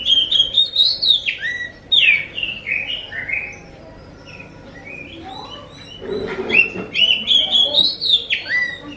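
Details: Song of an Oriental magpie-robin, used to coax other magpie-robins into answering: rapid sequences of clear, sweeping whistles and downslurred notes, a short lull, a brief noisy burst, then another run of strong rising whistles.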